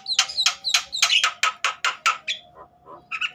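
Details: Agitated Javan myna, its calls used to get other mynas singing. Loud, harsh, rasping notes repeat quickly, about three per second, then fade to a few softer notes before one final rasp.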